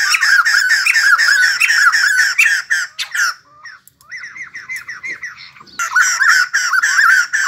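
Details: White-crested laughingthrush, kept bird, singing and dancing: raucous rapid chattering that breaks off, soft scattered calls and a near-silent gap, then the loud cackling chorus resumes.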